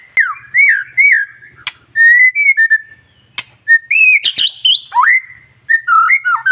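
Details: Long-tailed white-rumped shama singing to provoke rival shamas: looping clear whistles and slurred notes broken by sharp clicks, in short phrases with pauses.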